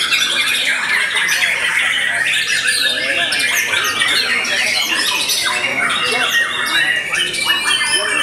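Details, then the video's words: After the moult, a white-rumped shama sings a sustained, vigorous stream of overlapping chirps, bright whistled slurs and scratchy chattering notes, steady in loudness throughout. "Murai Batu VOKALIS Pasca Mabung Semakin "WOW""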